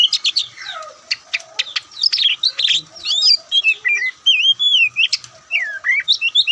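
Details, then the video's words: Oriental magpie-robin, white-breasted kacer, in loud varied ngobra-style song: dense bursts of sharp chips, buzzy notes and looping whistled slurs, ending with wavering whistles repeated in quick succession. "Kicauan Santai Kacer"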